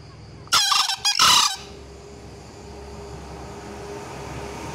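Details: Green junglefowl giving a loud call: two harsh, hoarse bursts in quick succession, the second slightly longer, together lasting about one second, followed by a steady background hum of insects.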